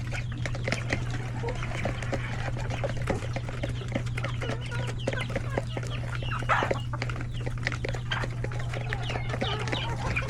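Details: Chickens, roosters and many chicks in a coop at a hectic lunch time; dense overlapping high peeps and short clucks throughout, with a steady low electrical hum beneath.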